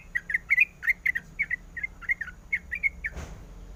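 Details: Sooty-headed bulbul female calling the male with clipped, chirping notes in small clusters, ending with a brief thump or knock near the close.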